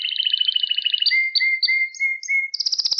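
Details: Domestic canary song for training young birds to sing: a rapid rolling trill on several pitches, then a string of level whistled notes, ending in a quick, high, rattling trill.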